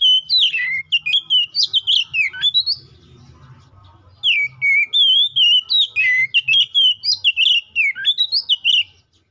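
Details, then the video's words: White-rumped shama, a kept bird used to call a rival and prompt other shamas to sing, in two loud bursts of rich whistled phrases sliding between low and high notes, with rapid varied syllables and a short quiet gap between bursts. "KACER GACOR NGEPLONG❗MEMANGIL LAWAN PALING AMPUH BUAT PANCINGAN KACER BIAR CEPET GACOR!"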